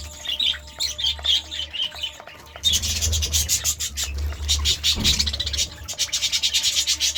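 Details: Budgerigar chirping in the morning: bright high chirps for the first half, then a rapid run of harsh, raspy pulses over a steady low hum.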